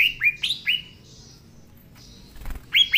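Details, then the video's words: Green leafbird singing: a few bright upward-sweeping whistles and a thin sustained high tone, a quiet gap with a soft click, then two more rising whistles. "Cucak Ijo Gacor Suara Asli"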